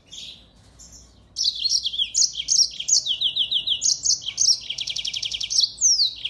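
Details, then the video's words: Yellow-fronted canary in full active song, used to tutor white-eyes: a quiet start, then a fast run of varied high chirps and slurred whistles, a rapid buzzy trill near the end, and a final falling whistled note. "Burung MOZAMBIK Gacor!!! Cocok banget buat isian Pleci"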